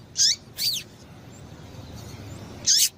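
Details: Female double-collared seedeater giving a call meant to stimulate males: three short, high, scratchy chips, each ending in a brief downward slur, the first two close together and the third after a two-second pause, over faint low background hum.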